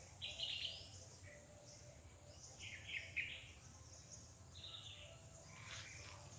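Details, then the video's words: Wild birds calling around a home in the mountains of Gingoog City, Misamis Oriental, Mindanao, Philippines; faint short chirping phrases come every couple of seconds over steady outdoor hiss. "Ayan, narinig nyo po ba yung mga huni ng ibon?"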